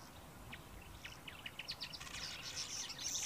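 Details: A male southern masked weaver (Ploceus velatus) sings in the early morning: a string of quick, high ticking notes speeding up into a dry, sizzling buzzy chatter, over a soft background hiss.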